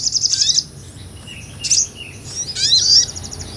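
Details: Small nectar-eating sunbird singing energetically in ngobra style, recorded for real as a songbird tutor; three bursts of shrill rapid trilling, each followed by a faint lower downslurred note.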